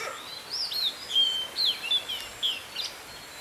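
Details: Oriental magpie-robin, a fierce fighting bird being trapped on 16 May 2016: a lively run of clear, sweet whistles, with slurred notes bending up and down in short phrases, about eight notes in three seconds, over a faint hiss.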